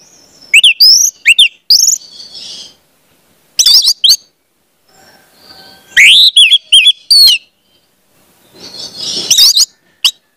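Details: Orange-headed thrush song used as a training lure so young spotted birds learn to sing: loud bursts of sharp upslurred whistles and scratchy, buzzy phrases in short clusters separated by pauses, with a softer harsh rasp near the end.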